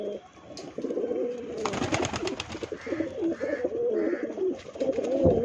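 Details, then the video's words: Low, rolling pigeon coos from birds offered for sale run almost continuously, with a brief rustle and three soft higher tones in the background. "kabutar for sale"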